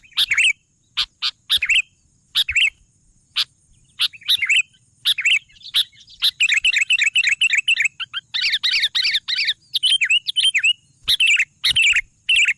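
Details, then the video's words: Vigorous Sooty-headed bulbul song: scattered bright phrases and clicks at first, building into a long, rich, chattering warble of fast bubbly notes, then a few closing phrases. "suara burung kutilang gacor"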